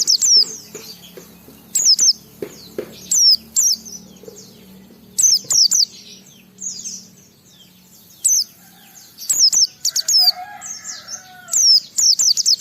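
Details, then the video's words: White-eye singing in the ngalas style, used to provoke other white-eyes into singing: high, thin chirps sweeping downward, given in short bursts separated by pauses, over a faint low hum. "Suara Burung Pleci ini Raja Menggoda Semua Pleci cepat Ngalas Ngeplong Gacor"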